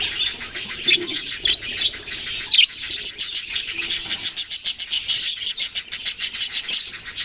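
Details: High-pitched chirping from baby budgies, first a thick mix of squeaky tweets, then a run of sharper, pulsing chirps in quick succession toward the end.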